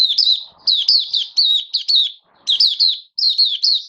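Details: Hobby oriental white-eye, caged, recorded 19 September 2022 in build-up form: dense, continuous strings of loud high chirps, each note sliding down, broken by two short pauses.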